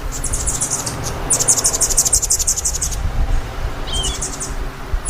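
A hummingbird gives very high, thin chips in quick irregular bursts, densest in a run near the middle, over a low background rumble.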